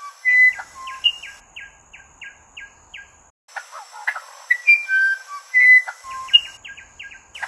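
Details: Musician wren song: clear whistled notes at shifting pitches mixed with quick runs of short rising notes. A brief pause falls near three seconds, then more whistles and note series follow, with a faint steady high tone in the background.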